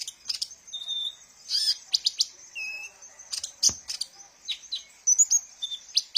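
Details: Sunbird song used as a lure for training captive birds: bright, rapid chips and twitters, several short level whistles at a lower pitch, and a sharp click in the middle.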